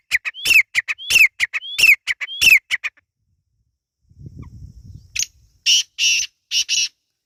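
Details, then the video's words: Partridge (Irani teetar) chick calls: about four quick phrases, each a rising slurred whistle that breaks into harsh scratchy notes, repeated roughly every 0.7 seconds, then a low rumble and a few broad hissy bursts. "Irani teetar ki awaz | Teetar ki awaz | teetar chicks sound"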